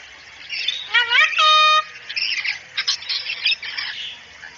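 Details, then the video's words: Talking cockatoo, said to say "assalamualaikum" in a training recording: a rising voice-like phrase leads into a steady held tone, followed by several rough, broken squawky syllables. "masteran burung kakatua bicara asalamualaikum"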